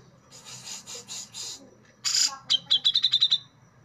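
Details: Brown-cheeked bulbul, locally cucak jenggot, in the sharp besetan scraping style: five buzzy, hoarse rasps, a harsh burst, then a fast chattering run of about eight clipped, piercing notes, loud and close.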